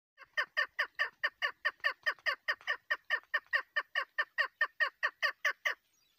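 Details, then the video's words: Female chukar partridge used as a hunting call bird: a fast, steady run of harsh clucking notes, about two or three per second, each a brief downward-sliding chuck, continuing for over five seconds before stopping. "female hunter bird voice kekkik sesi sound hunting sound chakor birds"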